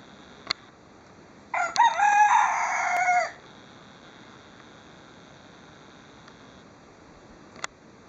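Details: Rooster giving a single loud, harsh crow lasting about two seconds, with a few sharp clicks before and after it and quiet background hiss.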